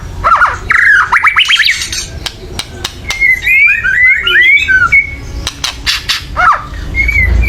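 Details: Agitated white-rumped shama chattering loudly, meant to stir birds into song: a rising series of slurred whistles, then warbled notes, interspersed with sharp harsh clicks.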